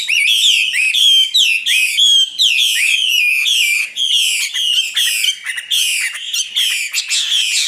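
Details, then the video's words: Common nightingale from 2016 pouring out a fast, continuous run of loud, high, downward-slurred notes, repeated roughly twice a second, with short gaps between bursts. "Best singing nightingale 2016"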